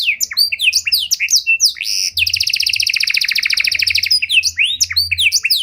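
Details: Panda canary song with a luxurious cengkok style, used as a lure to provoke and train other canaries: rapid downward-sweeping whistled notes, then a long fast buzzy trill, then more sweeping chirps; faint low hum beneath.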